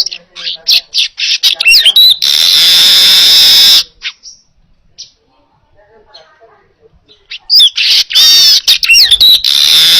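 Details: Training song of a weaver: staccato chatter and twangy slurred notes build into a long grating wheeze, then a quiet gap before another burst of chatter and wheezing.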